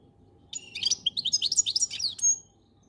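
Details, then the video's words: A goldfinch delivers a quick two-second burst of bright, tinkling twitters and rising chirps, high pitched and rapidly varied. "Best Goldfinch song"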